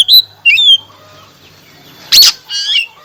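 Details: Oriental magpie-robin singing after a song-stopping remedy: loud clear whistled notes, a rising-falling whistle, then a harsh broad scratchy burst and a wavering rattled phrase, all close and loud.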